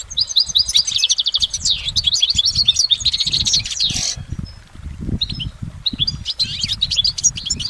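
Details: Goldfinch in the wild giving a fast, bubbling sequence of high chirps and trills, then a pause, then fresh twittering with sliding notes; soft low background sound throughout.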